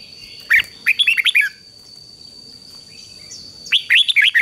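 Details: Red-whiskered bulbul fighting song meant to prompt a wild-caught bird to sing, with two lively runs of six or so warbled, falling notes, a soft faint note between, and a thin steady high tone throughout.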